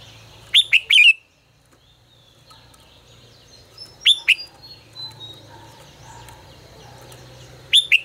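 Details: Red-whiskered bulbul giving 'ché căng lửa' style song used to train other birds: three short, bright phrases of two or three sliding whistled notes, spaced about three and a half seconds apart, with soft background murmur.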